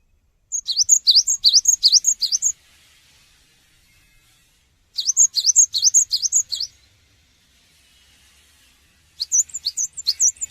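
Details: Cinereous tit song used to prompt other birds to respond: three bursts of about two seconds, each a quick series of five or six high, sharp, V-shaped whistled notes, separated by roughly two-second silences.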